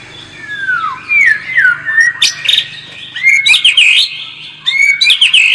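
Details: White-rumped shama lure song, played to make a bird more combative: a long descending whistle, then bursts of looping, sweeping whistled notes with sharp upslurs, delivered in quick phrases separated by short pauses.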